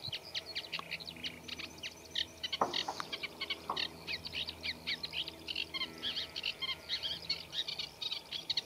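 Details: Eurasian reed warbler singing in a reed bed, a scratchy song with mimicry of other birds. Dense chattering runs throughout, and a few brief knocks sound around the third second.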